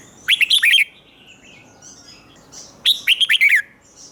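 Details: Red-whiskered bulbul in a cage giving its doubled song for young birds to imitate: two loud, clear phrases of five or six quick, bouncing whistled notes each, about two and a half seconds apart, over faint background chirping.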